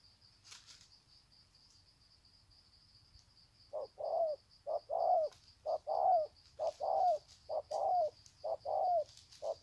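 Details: Spotted dove in Sê San, Vietnam, 21 February 2020, greeting with a long coo sequence: quiet opening, then from about four seconds a rapid run of paired mellow coos with falling ends, insects droning steadily above.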